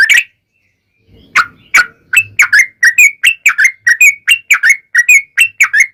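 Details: Lure recording of a yellow-vented bulbul singing vigorously in a long rapid trill meant to draw answers from other bulbuls. Two early notes, a gap, then a steady run of short bubbly whistled phrases, about two or three per second.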